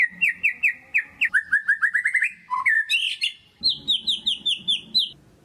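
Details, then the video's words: Loud white-rumped shama lure song for prompting reluctant shamas to sing: strings of repeated whistled notes in steady series, dropping in pitch at one point, then a higher run of clipped whistles after a short gap. "PANCINGAN MURAI BATU GACOR DOR"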